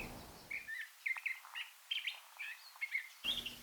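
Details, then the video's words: A Curve-billed Thrasher in spring at Bosque del Apache sings a rich, varied run of short whistled and warbled phrases, several each second, over faint hiss; thrashers sing from winter well into spring. "Thrashers sing from winter well into spring."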